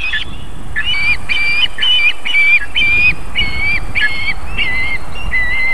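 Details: Osprey at a nest in Võrumaa, South Estonia, near a fish farm and river, on the evening of 31 July 2021 as the female feeds her chicks: about ten short whistled, slightly upslurred notes in a quick uneven run over low rumbling background noise.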